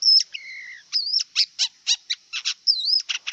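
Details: Wild long-tailed shrike mixing clear sliding whistles, including a drawn-out falling whistle and a wavering looped one, with short harsh scratchy notes in rapid sequence. A steady high hum sounds underneath.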